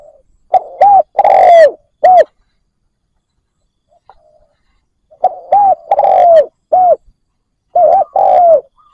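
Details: Captive decoy spotted dove cooing to provoke and lure wild doves. Two bursts of low, hollow, rounded coos, each run of four or five notes ending in a longer falling coo, with about three seconds of silence between them.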